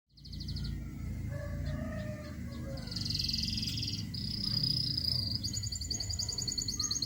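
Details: Local canary singing near Rembang: high, rapid trills and buzzy sustained notes in short bursts, shifting between phrases, over a steady low rumbling hum.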